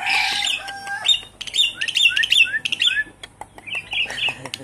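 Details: Lure recording of a Javan pied starling, used to prompt a stressed captive bird that has stopped singing: loud harsh opening chatter, then a string of short upslurred whistles and chirps mixed with clicky notes.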